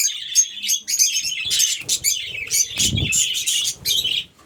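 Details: Budgerigars in an aviary chirping and warbling in overlapping bursts, with a low thump midway.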